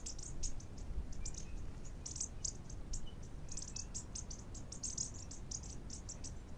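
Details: Bushtits feeding on the ground give a steady stream of thin, very high, short tsit notes from several birds at once, over a low rumble of wind.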